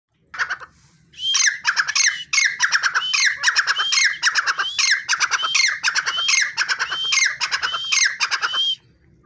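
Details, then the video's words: A wild partridge gives loud, harsh, rhythmic calls, each phrase ending in a shrill rising note, repeated about once a second for eight seconds. "Jungli teetar ki awaz -Teetar ki boli"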